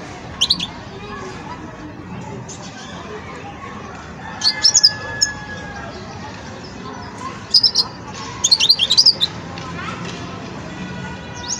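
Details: A young European goldfinch at the stage of developing its song gives short bursts of high, tinkling twitters, a few seconds apart, over a low murmur of background voices.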